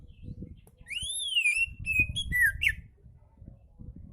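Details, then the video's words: Oriental magpie-robin song used to stimulate lazy magpie-robins to sing: a rising-falling whistled arch, then flat whistles and a descending slur over about two seconds, with low background rumble. "KICAU KACER SANTAI COCOK BUAT MASTERAN KACER MALAS BUNYI"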